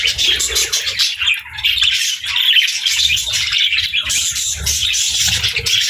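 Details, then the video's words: Budgerigars sharing space with lovebirds as pets while feeding together: busy overlapping chirps and squawky warbles, a brief lull near the two-second mark, then the chatter swells again. "Funny Budgies Love Birds Chirping Sounds"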